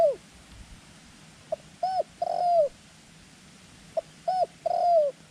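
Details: A decoy dove used in dove trapping gives soft, low coos in a repeating phrase: a short clipped note, then two drawn-out, slightly falling coos, about every two seconds.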